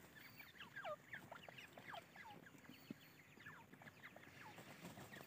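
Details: Irani dakhni teetar (francolin) chicks keep up a busy chorus of thin, high, sharply down-sliding peeps, several calling over one another.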